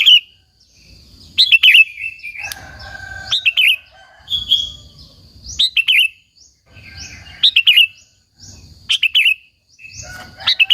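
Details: Sooty-headed bulbul (kutilang) song meant to lure and stir up other bulbuls: repeated short phrases of bright, falling whistled notes, about one every one to two seconds, with faint low thuds in between.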